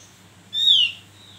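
A Javan grey-throated white-eye gives a single clear whistled note, steady then slurring slightly downward, lasting under half a second over a faint low hum.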